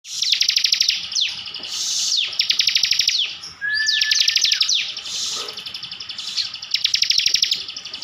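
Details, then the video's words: Kept Bar-winged prinia from Slawi, Tegal, Central Java, singing energetically in the rapid 'tembakan' style: dense bursts of fast, dry, ticking notes, each about a second long, repeated with brief breaks and separated by quick downward swoops and one thin steady whistle. "ciblek gacor full tembakan"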